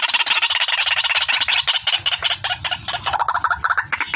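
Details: White-breasted waterhen, female, in a lure recording: rapid harsh pulsed notes, about three per second, fairly irregular, with a shrill upper band and a lower stuttering phrase near the end.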